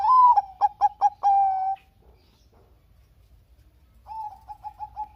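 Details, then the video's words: Zebra dove of the Bangkok line, recorded as a lure for lazy singers: a bright rising note, four sharp stuttered pips and a long steady coo, then after a gap a quieter run of short repeated notes. "suara Kutut Bangkok Gacor"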